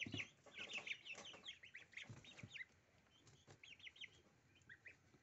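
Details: Little goslings eating dill at breakfast: a burst of busy high peeps with pecking knocks, then quieter, with a few clear separate rising peeps near the end.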